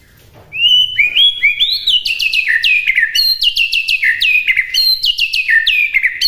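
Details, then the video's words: Training master of a white-rumped shama, meant to be easy for birds to copy: short quiet start, then bright whistled notes rising and falling, followed by fast repeated sharp downward slurs, dense and unbroken. "MASTERAN MURAI BATU MUDAH DI TIRU"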